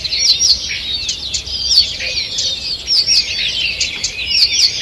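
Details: Forest birds singing together one June morning, 2 June 2023. Bright twittering and sharp upward-sweeping whistles overlap, with a few louder piercing notes standing out every second or so against the busy chorus.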